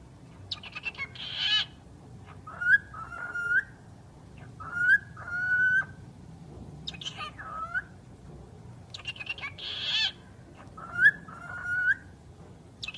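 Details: A pet talking bird repeating a phrase about every two seconds: sharp chirps followed by a pair of rising whistled notes, with buzzy squawks in between over a steady low hum.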